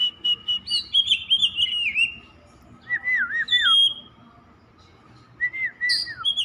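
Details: Continuous song of an Oriental magpie-robin kept as a songbird, rich warbling whistles that slide and wobble, some phrases falling in pitch, delivered in bursts separated by brief silences over a faint steady hum.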